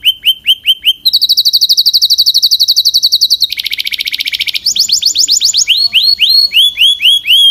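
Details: Belgian canary song: a few clipped whistles lead into a long rapid trill that drops in pitch to a second fast roll, then a higher trill and repeated curving whistles.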